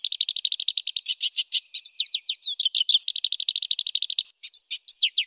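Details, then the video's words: Loud, clear black siskin song with long rolls: rapid even strings of sharp high notes, about two per second's fraction, switching mid-phrase to slurred twisting whistles, then short separated phrases at the end. "SUARA LANTANG , NGEROL PANJANG BLACK SISKIN / Suara Jernih"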